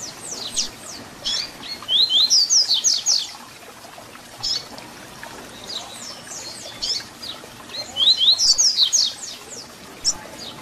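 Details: ["Two full phrases of double-collared seedeater song in the 'Tui Tui Zel Zel' fibra style, a song for teaching young birds. Each phrase opens with rising whistles and breaks into fast, thin downward notes. Scattered quieter chirping sounds between them."]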